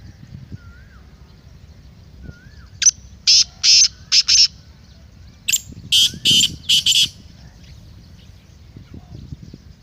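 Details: Black francolin call meant to rouse a kept francolin for chakri and masti. Faint thin whistles, then a phrase of five harsh, scratchy bursts. After a pause comes a second phrase of four similar grating notes.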